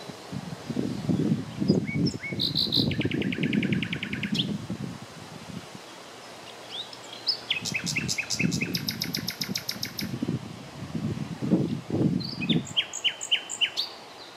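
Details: Common nightingale singing on the late morning of 30 April 2020 near Klein-Auheim and Hainburg am Main: bursts of rapid, evenly repeated clicking notes and high whistled phrases, separated by short pauses, over a steady low rumbling background noise.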